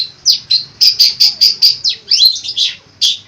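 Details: Long-tailed shrike, a cendet, producing a fast series of bright repeated chips followed by twisting, slurred whistles of its mimicking song.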